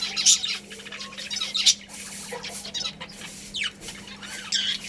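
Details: Pet budgerigar colony calling: sharp high chirps spaced about a second apart among quieter twittering chatter, with a steady low hum in the background.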